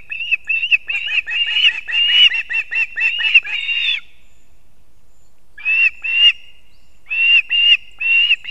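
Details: At a nest in Latvia on an early September morning, 6:40 am, an osprey male arrives with two fish for the chicks; a long run of sharp repeated whistles, then a pause and fewer spaced calls.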